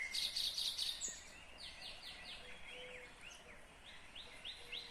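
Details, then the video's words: Kyrgyz nightingale, recorded 2020, opens with a burst of loud high chattering notes, then a long series of slurred chevron notes, gently fading and swelling again. "Незабываемое Пение соловья / Chill out Nightingale Singing / Булбул уну / Булбул овози"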